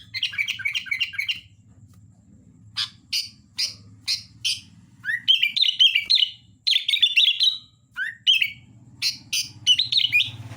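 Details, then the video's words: Sooty-headed bulbul in lively song: clipped repeated chirps, short sharp notes spaced about half a second apart, then rising whistled warbles, with a steady low hum beneath. "Suara Kutilang Gacor Dorr"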